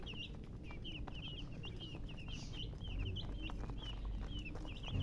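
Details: Baby chickens peeping, a steady stream of high chirps with rising and falling strokes, above loud low-frequency background noise.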